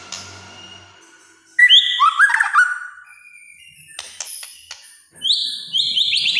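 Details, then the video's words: White-rumped shama in kretekan-style song, reportedly making other shamas agitated: a burst of whistles and quick rattling trills, scattered sharp clicks, then a run of high repeated whistled notes. "KRETEKAN MURAI BATU GACOR. BIKIN MURAI LAIN EMOSI.."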